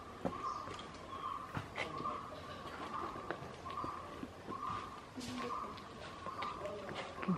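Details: A White-cheeked barbet, excavating a nest hole at Nandi Hills, gives low, rolling notes about every three-quarters of a second over scattered sharp taps and faint background voices.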